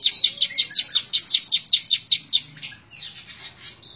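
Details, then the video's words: Continuous tembak ngebren song from a long-tailed shrike: regular, fast high chips, about five a second, trailing into softer scratchy notes and a final thin whistle. "Burung cendet tembak ngebren"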